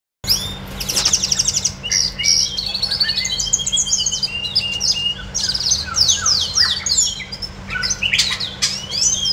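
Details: Pet red siskin singing a long, rapid twittering song of high chirps, trills and quick downslurred notes, continuous for about nine seconds with a steady low hum behind.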